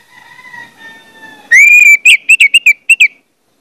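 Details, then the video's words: Lure song of an orange-headed thrush meant to make others sing: after a steady, faint tone, a loud drawn-out whistle bursts in, followed by a rapid string of short, choppy whistled notes. "pancingan anis merah bikin anis merah lain cepat ngeplong"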